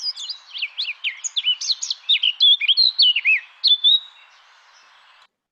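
A Eurasian Blackcap sings a quick, varied warble of high, twisting notes that grows louder and clearer toward the end. A brief thump follows.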